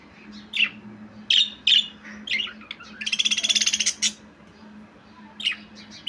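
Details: Budgerigar chirping in scattered sharp notes, then a buzzy, rapidly pulsed rattle lasting about a second, followed by more chirps; faint hum underneath.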